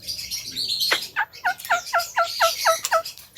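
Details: Javan myna in vigorous song: a squeaky opening slur, then a fast, regular string of short two-tone chirps, about four a second, bright and metallic.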